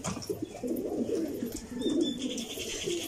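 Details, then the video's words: Low, overlapping pigeon coos running through the clip, steady and throaty, with faint higher chirps above. "Pigeons sound"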